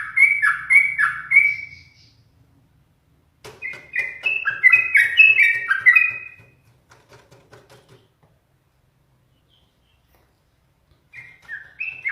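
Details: Caged yellow-vented bulbul, teased often by its keeper to make it sing more. Bright whistled phrases of three to four slurred notes come in bursts, with quiet gaps and a faint low hum between them.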